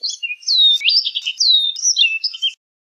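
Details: Orchard oriole song: a continuous run of clear whistled notes, some slurring down, others rising, mixed with short chattery bits, lasting about two and a half seconds before stopping.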